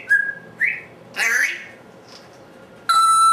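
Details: Talkative captive African Grey vocalizing on its own indoors while nobody is in the room: two short whistled notes, a harsh raspy burst, then a steady, sustained electronic-sounding beep tone.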